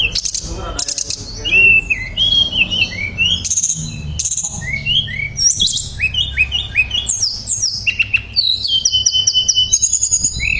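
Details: Tledekan pring shortwing singing gacor-style for bird therapy, nembak and ngerol: sharp clicking bursts open, then cascades of high whistled slurs, buzzy notes and quick warbles run on with barely a pause.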